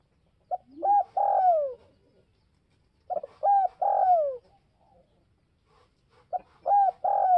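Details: Spotted dove giving its provoking call three times, about every three seconds. Each phrase is two or three clipped coos leading into a long, drawn-out falling coo, with a faint low murmur between phrases.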